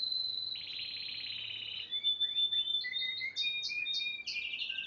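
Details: Song of a yellow Spanish timbrado canary, a great singer. A long high rolling trill drops into a fuller lower roll, then breaks into quick chirps and a string of short rising whistled notes at a fast pace.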